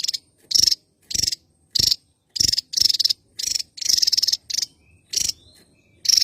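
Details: Javan tesia, endemic to Java, in active song: a steady series of high, rasping, pulsed bursts, short and longer ones mixed, spaced under a second apart.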